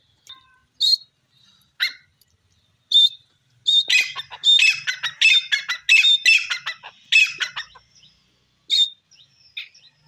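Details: Grey francolin giving spaced high, harsh notes that build into a dense burst of rapid, rhythmic calling, then trail off into scattered single notes again.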